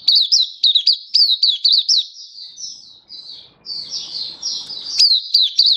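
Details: Oriental white-eye singing in 'buka sing' display, 24 February 2023: bursts of high, clipped chirps, each note slurring downward, giving way to a gentler warbled passage with light background rustle before the bright chirping resumes.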